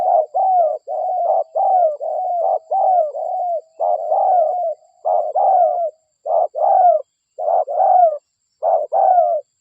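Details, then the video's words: Vigorous local spotted dove on a lure recording to attract wild doves. Overlapping cooing notes run nearly without pause for several seconds, then separate into distinct falling coos with short gaps. "Pikat Suara DERKUKU Lokal Gacor"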